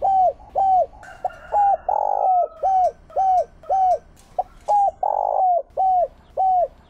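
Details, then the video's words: Decoy spotted dove giving Chiêu Ba Hậu calls to lure wild doves: clear mellow coos with downward-hooked endings repeated about twice a second, interrupted by two longer coarse coos. "Tiếng Chim Cu mồi Chiêu Ba Hậu Dùng Kích Bổi"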